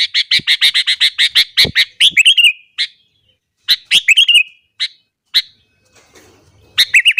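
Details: Intense morning song from a sooty-headed bulbul, used to provoke rival bulbuls: a rapid series of bright, evenly spaced notes opens into rolling warbles, followed by scattered sharp chips and a final twittering phrase.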